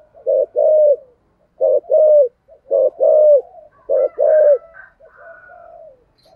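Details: Captive decoy spotted dove, used to lure wild doves, in the local 'thổ' voice style, giving low mellow cooing phrases: a short note then a longer rolling coo, four times at roughly one-second gaps, followed by softer trailing coos.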